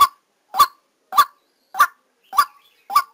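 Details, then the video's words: Short burst from a white-breasted waterhen decoy, recorded live while trapping: six punchy, mid-pitched 'kook' notes evenly spaced about half a second apart, nothing else audible. "Tiếng Quốc Mồi Ghi âm trực tiếp lúc đánh"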